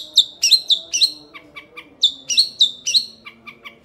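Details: Young Long-tailed Shrike giving short, sharp whistled notes in two groups of four, each group followed by softer, lower clicks.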